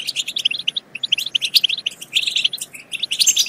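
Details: European goldfinch song played to stimulate goldfinches to sing and mate: rapid tinkling, liquid twitters and chirps in quick bursts, with a short pause near one second and a bright trill toward the end.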